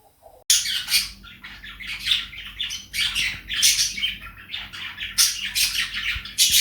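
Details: Pet cockatiel kept indoors with budgies, chattering and singing while dancing; after a brief quiet start, loud harsh raspy squawks and high scratchy chatter come in dense bursts about every second, in a small room.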